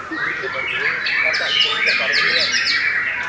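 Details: Belanda-type white-rumped shama sings a run of quick buzzy downward strokes repeated about three times a second, over a bed of warbling whistles.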